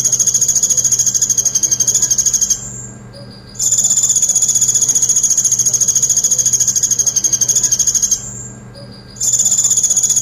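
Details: Brown-throated sunbird pouring out long 'tembakan pelatuk' bursts: extended, rapid, evenly pulsed high rattles of several seconds each, separated by brief pauses with a soft lower note, over a constant faint hum.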